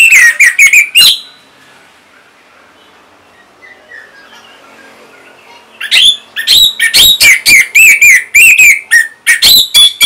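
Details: Orange-headed thrush in northern Bali, kept as a song tutor for other birds: loud, fast, varied whistled phrases in two long bursts, with a quiet gap between them.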